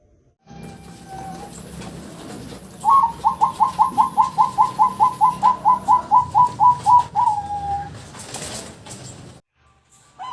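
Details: Zebra dove trapping lure, Bangkok and local types: a single soft note, then a brisk, even string of about twenty clipped coos and a drawn-out closing note, over low background noise.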